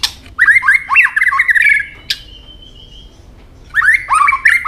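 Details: White-rumped shama, a fighting song with the tail flicking and snapping, in rapid harsh, buzzy phrases around mid pitch, a pause with one thin sustained whistle, then another burst of scratchy rising notes.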